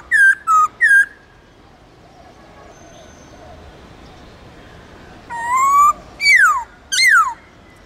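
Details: Central Highlands white-cheeked laughingthrush in wild-style song: three short rich whistles, a pause of about four seconds, then a rising whistle and two steeply falling ones, with quiet background between.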